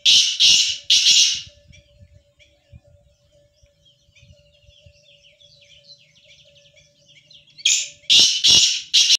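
A black francolin gives two loud, harsh, grating phrases of three or four rasping notes, about seven seconds apart; faint small-bird twittering and a low steady hum fill the gap.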